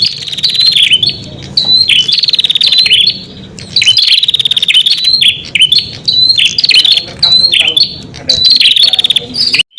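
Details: Prinia song played to draw in wild prinias: shrill phrases of quick pulsed notes with dipping and rising flicks, repeating about every two seconds, backed by faint low-frequency hum.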